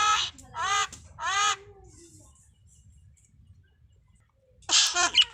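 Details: Talking common myna imitating village speech: three loud harmonic squawked syllables in quick succession, a long pause, then a harsh, rasping burst.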